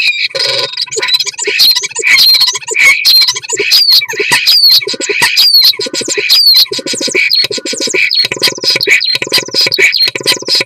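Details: Continuous mating song of a common starling, mixing sliding whistles, buzzy rattles, clicking trills and scratchy warbles in a long, unbroken, busy stream of varied phrases.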